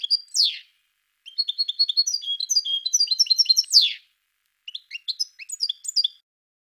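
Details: Goldfinch song of bright twittering notes in quick runs with sharp descending slurs, two bursts separated by brief silence, a clean recording with no other sounds.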